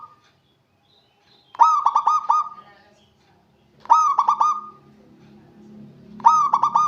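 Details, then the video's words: Vocal local perkutut, a zebra dove, calling to rivals, sings three phrases roughly every two and a half seconds, each a rapid stutter of low coos ending in a drawn-out steady note, with a faint low hum between phrases. "Perkutut Lokal Gacor Memanggil Lawan Cepat Bunyi"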